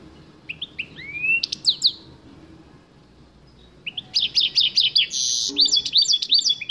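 A goldfinch mule sings bright, high twittering phrases with rapid slurred notes and buzzy trills, pausing briefly before a longer, denser burst.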